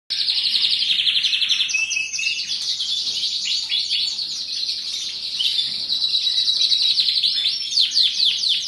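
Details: Canary singing a long, continuous high warbling song of rapid trills and rolling buzzy phrases, loud and steady throughout with little pause.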